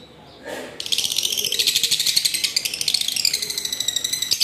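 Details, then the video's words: Fully adult lovebird from a new first breeding, kept as a pet, after one harsh note breaks into a loud, fast, continuous high-pitched chattering of rapid squeaky pulses that runs steadily to the end. "love birds || new 1st breed fully Adult || original voice"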